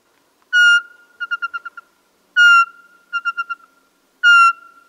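Eurasian Pygmy Owl giving clear, mellow whistled hoots about every two seconds, each followed by a quick run of five short, softer notes at the same pitch; otherwise quiet.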